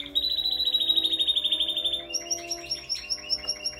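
A Spanish Timbrado canary sings a fast, metallic rolling trill for two seconds, then quick bright varied notes. A faint low steady hum runs underneath.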